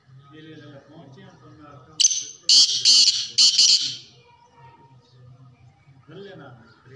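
Black francolin giving a loud, harsh, grating call of four rasping notes over about two seconds, with people talking quietly before and after.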